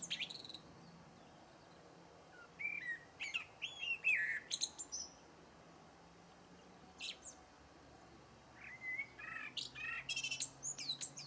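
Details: Singing blackbird delivering repeated phrases: low liquid fluting notes followed by squeaky, tinkling high twitters, with pauses of a few seconds between strophes and faint hiss behind.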